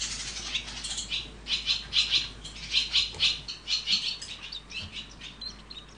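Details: A nest of barn swallow chicks being raised by their parents, calling in pulsing bursts of thin, high twittering that swell and fade about twice a second, with soft pauses between.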